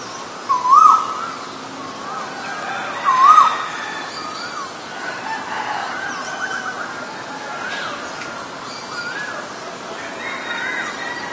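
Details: From a recording of male and female Asian koels: two quick upward-swooping whistles in the first few seconds, followed by quieter mixed chatter from other birds and faint ambient noise.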